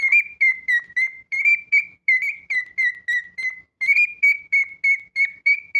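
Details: Pet cockatiel repeating short, clear, even-pitched whistled notes, roughly three per second, in a long steady series in a quiet room.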